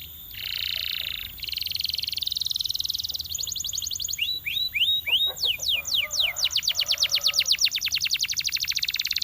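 A Belgian canary sings bright, high phrases: buzzy notes, quick downslurred whistles, then a fast, steady trill that repeats several times a second.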